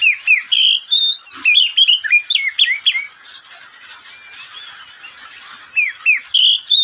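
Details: Midday song of a caged pet oriental magpie-robin: busy phrases of loud whistles and slurred chirps, a quiet gap of nearly three seconds, then the song returns with clear rising whistles.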